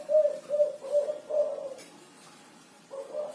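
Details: Spotted dove in 'kuku 6' style: four mellow low coos in even succession, a pause of about a second, then another coo begins.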